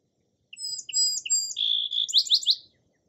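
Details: Song sparrow song: three short sharp introductory notes, then a buzzy held note and a fast run of rising, repeated chips forming a varied trill, all high-pitched and clear against a quiet background.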